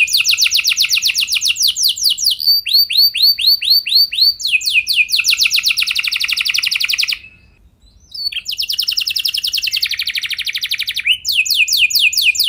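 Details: Canary song meant to prompt other canaries into long rolling song. Tours alternate between very fast, bright trills and slower repeated swooping notes, with one brief silence midway before the rapid rolling resumes.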